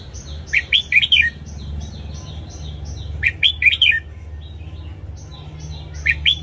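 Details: Morning song of a red-whiskered bulbul, used to train caged birds: repeated lively chirping phrases about every three seconds, with a steady series of thin high notes from another bird running through the background.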